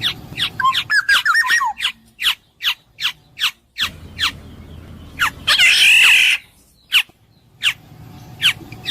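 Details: Black-naped oriole, known locally as kepodang emas, heard in clear voice: a brief liquid warbled whistle, then a long run of harsh, downward-slurred nasal notes about three per second, broken by one loud rasping squawk.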